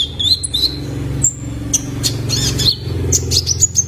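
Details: Juvenile male Kolibri Ninja sunbird, recorded as a training lure for cage birds: thin, high chirps and short whistled notes over a steady low hum.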